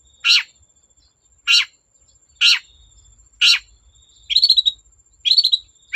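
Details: Cendet, the long-tailed shrike, giving four harsh separate notes, then two quick trilled chatters, voiced to goad other shrikes into singing.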